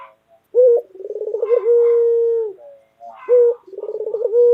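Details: Loud, lively white local collared dove kept as a pet bird, giving a short low coo, a fast rolling burst of notes, then a long steady coo, repeated twice.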